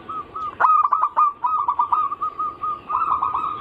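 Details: Zebra dove anggungan-style song, used as a lure to draw other zebra doves of local, Bangkok and crossbred types into singing: a stuttering run of short, mellow cooing notes at one steady pitch, broken by sharp clicks, ending in a quick rolling trill.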